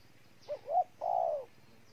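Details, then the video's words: Single spotted dove phrase from Ninh Thuận, Vietnam: a short low note, a rising second note, then one long, smooth, gently falling coo, in a quiet setting. "Cu gáy Ninh Thuận"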